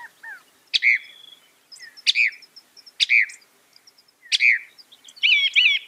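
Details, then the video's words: Loud, sharp downslurred notes from a Northern mockingbird, repeated roughly every one and a half seconds with softer ticks between, ending in a tangled warbled phrase. "Masteran Burung Kicau Mockingbird Gacor - Mockingbird Bird Sound"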